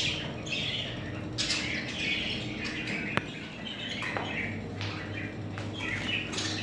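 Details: Several budgerigar chicks chirping in brief, slightly rising scratchy notes, with a couple of sharp clicks and a constant low hum underneath.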